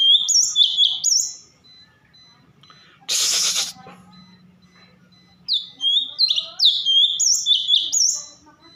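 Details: Cucak cungkok bulbul in full song, giving clear high whistled phrases with slurred up-and-down notes. A short burst of broadband noise breaks in midway, and the whistling resumes in lively clusters.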